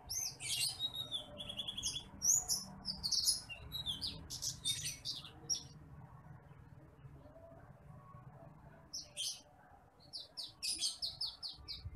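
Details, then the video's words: Training song of the branjangan apung, or titimplik bush lark, a rice-field bird: dense clusters of sharp, very high chirps and short trills, a quiet gap, then more twittering phrases over low background noise. "MASTERAN BURUNG BRANJANGAN APUNG (TITIMPLIK)"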